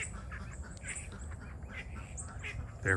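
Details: Several domestic call ducks, a breed made as live decoys to call in wild ducks, quack in quick, high, nasal bursts with a louder final quack over a low rumble; the free-ranging flock is very vocal, especially in the morning.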